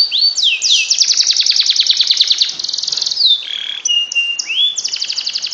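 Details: Canary singing masteran meant to make idle canaries sing ngekek: rapid rattling trill after swooping whistles, then slower piping notes, a steady flat whistle and another fast roll.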